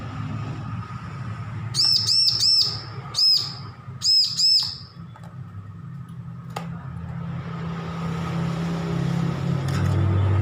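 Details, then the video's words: Young bar-winged prinia, just weaned from hand-feeding, learning to sing: bright arched whistled notes in quick bursts of four, one, then three, separated by short gaps over a steady low hum. "Ciblek lepas loloh belajar bunyi full masteran"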